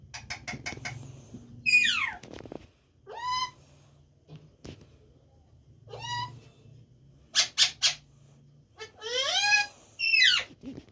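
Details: Pet talking parrot indoors; a series of harmonic, speech-like calls and rising squawky phrases mixed with clicks, a low hum and short broadband bursts.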